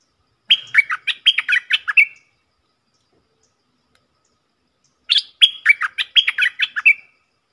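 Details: Two lively phrases from a stripe-throated bulbul, each a quick run of liquid, chirping notes lasting under two seconds, with a long silent gap between them.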